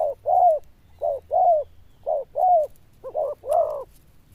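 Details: Zebra dove with a loud, bell-toned voice and good cooing, giving paired mellow coos in a fairly regular rhythm. A short note leads into a longer one, repeated four times, with faint low hum in the background.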